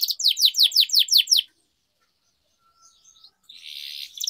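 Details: Canary training song: a short run of rapid, repeated downward-sweeping chirps, followed by near silence and a faint buzzy trill at the end.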